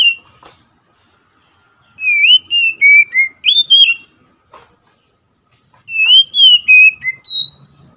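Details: Oriental magpie-robin singing two bursts of loud, clear whistled phrases, each a run of sliding notes that rise and fall, separated by a few seconds of near silence with faint clicks.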